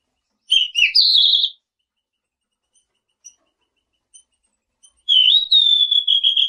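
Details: Selendang biru bird giving two loud whistled phrases, the first dipping then jumping up and holding a steady high note, the second opening with a slur into a long level whistle; faint short peeps between them.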